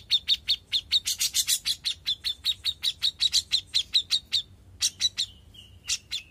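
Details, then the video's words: A young grey-cheeked bulbul sings actively: a fast run of sharp, high chips about five a second, then a few scattered notes and a short, lower drawn whistle. "CUCAK JENGGOT MUDA GACOR"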